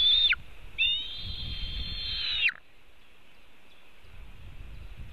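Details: White-tailed eagle at a nest webcam in Latvia, 5:08 pm on 4 July 2018, as one eagle steals part of a fish from another, giving high thin whistled calls: a brief one, then a long note slurring down; low wind rumble.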